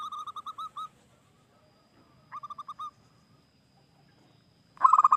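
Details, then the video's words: ['Local wild zebra dove song, played to draw other doves into singing. Short bursts of soft, quick cooing notes are separated by silent gaps, and a louder, denser trill of coos comes at the end.'] "Perkutut Lokal GACOR,suara khas idaman para pemikat"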